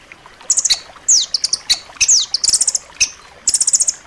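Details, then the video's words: Rambatan loreng nuthatch song for training kept songbirds: high rapid trills mixed with clear downslurred whistles dropping in pitch, in an uneven, lively sequence. "suara masteran rambatan loreng rapat tajam"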